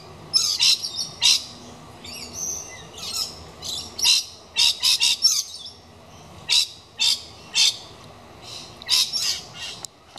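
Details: Screeching for a long time while checking out a nesting box intended for kookaburras, a galah gives irregular runs of harsh, grating squawks, some clustered three or four together, others spaced by short pauses.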